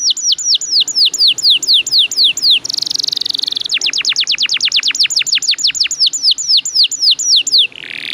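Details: Energetic canary with long rolls, played to prompt other canaries to sing: rapid series of down-slurred notes, a buzzy trill, a very fast roll of sharp sweeps, then more paced down-slurred notes.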